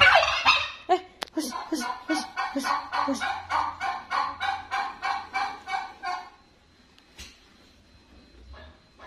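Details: Turkey gobbling: a loud, rapid, throaty rattle of about twenty pulses over six seconds that fades out, followed by near quiet with a faint hum.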